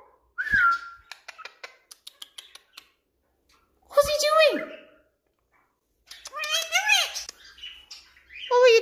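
A cockatiel gives rich, harmonic whistles that swoop and bend, with soft clicks between them.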